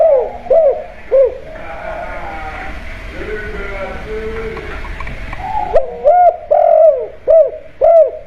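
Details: Spotted dove kept at home, kuk-style lure call: three arched coos, a stretch of murmuring background, then a brisk series of five hollow coos at the end.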